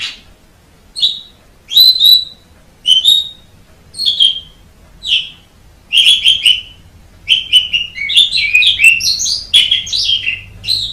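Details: Javan pied starling starting with evenly spaced sharp chirps about once a second, then building into a faster, busier run of squeaky, whistled and chattering notes.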